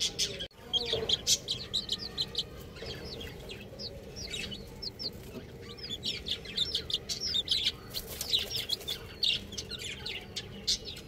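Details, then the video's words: Baby chickens peeping: many high, short downslurred chirps overlapping in a busy chorus, repeated continuously with steady background hum. "Cute Chick Sounds | Baby Chicken Sounds"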